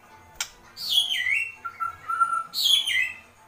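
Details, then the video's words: Agitated kretekan calling of a White-rumped shama: a click, then a bright note sliding downward into a held, level whistle, and another high downward-sweeping burst near the end. "Kretekan Murai Batu Emosi"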